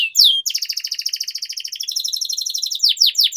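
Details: Canary in energetic training song: a quick slurred note, then a long, very fast even trill of pulsed twittering, ending in three loud rising sweeps.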